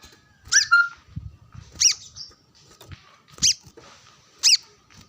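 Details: Sunbathing brown-throated sunbird calling for rivals near wild birds: four bright, sharply slurred high notes spaced about a second apart, the first followed by a short lower whistle, with soft low background noise.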